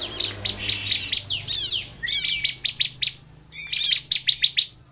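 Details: Sunda bush warbler song used to lure other birds into singing: loud rapid chattering bursts of sharp high notes, interspersed with thin rising whistles, repeated in quick series with brief pauses.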